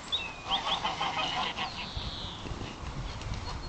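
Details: Geese disturbed by a horse give scattered, strained nasal honks and a drawn-out squawk, recorded on a phone amid noisy outdoor rumble.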